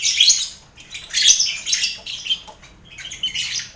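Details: Lovebirds in a noisy colony aviary shared with finches and quail, kept as mental training for contest birds: harsh, shrill chattering bursts in clusters about once a second, with squeaky overlapping notes.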